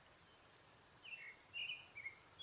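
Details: Brown-headed cowbird giving a loud, squeaky high burst of thin notes, followed by softer down-slurred whistles lower in pitch, over a steady high insect drone.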